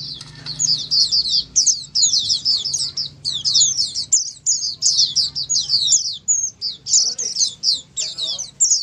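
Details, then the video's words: Oriental white-eye (pleci) ombyokan song for prompting a quiet bird to sing; crisp high chirps and trills delivered in quick bursts, rising and falling, nearly clean background with a faint hum. "Dengar Suara Pleci Ombyokan ini pasti nyaut burung pleci anda"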